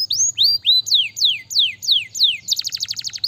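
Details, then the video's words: Canary singing: a run of loud, clear whistled notes sweeping down from high to lower pitch, repeated about every third of a second, ending in a fast buzzy trill of rapid identical pulses; faint low hum underneath. "ini baru Kenari mantul bukan kaleng kaleng"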